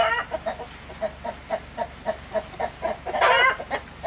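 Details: New Splash Wyandotte breeding hens with clear, evenly spaced clucks about three per second, interrupted by a loud, raspy squawk before the clucking resumes.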